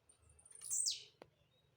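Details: Blue-black grassquit, known for jumping as it sings, delivers one sharp, buzzy downward-sweeping note, followed by a single dry click; faint low hum beneath.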